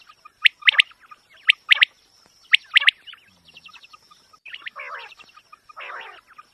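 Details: Quail calling for a hunting lure, sharp clipped chirps in short bursts about once a second, followed by softer rapid chattering notes, over a thin constant high whine.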